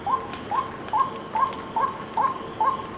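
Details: Repeated short upslurred notes from a white-breasted waterhen, evenly spaced roughly twice a second, each a quick rising hook, over a steady quiet background hiss.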